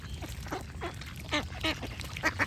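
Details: Close duck quacks, short and nasal with rich harmonics, six or so in quick succession, some paired, over a soft low rumble.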